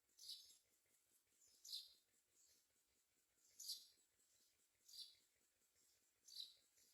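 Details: Mynas finding food, even a couple of crickets, to feed their babies; high, hissy raspy bursts come about every one to two seconds over a faint, steady low ticking.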